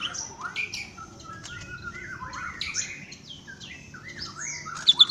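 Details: Greater green leafbird (cucak ijo) in varied song: long steady whistles, warbling slurred phrases and squeaky high notes, ending in three quick loud high chips.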